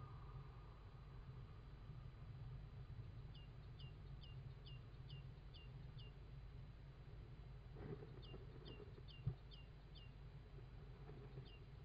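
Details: Great tit in Estonia, 24 April 2016, late morning around 11:47, gives two quick runs of thin, high, down-slurred notes, several per second, over a steady low rumble of distant traffic.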